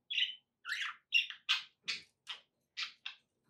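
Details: Pet budgerigar producing a series of about nine separate short, buzzy chirps, some with a whistled edge, spaced roughly every third of a second in a quiet room.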